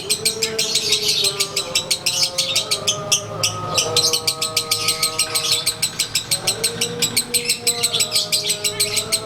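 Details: Konslet lovebird placed out to sunbathe, singing its daily ngekek: a long, fast chatter of sharp high notes, about three per second. Steady lower whistled tones run underneath.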